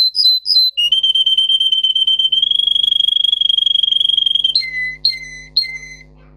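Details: Russian canary, bred for singing, in a song used to train canaries: a few high flicked notes, then a long buzzy rolling trill held level for over three seconds, closing with three slower downslurred whistles.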